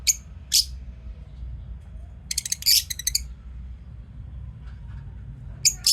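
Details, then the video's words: Lovebirds in a daily-routine recording, giving short, sharp, high chirps in brief clusters spaced a few seconds apart, with a faint low hum underneath. "Love birds singing sound and chirping sound"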